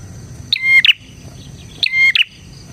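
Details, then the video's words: Prinia singing energetically, recorded as lure and master material for other prinias: two bright phrases of a clipped high note, flat whistle and short buzz, roughly 1.3 seconds apart, with a faint insect-like hum behind. "suara burung PRENJAK GACOR isian 💯% cocok untuk MASTERAN PRENJAK dan Pancingan prenjak"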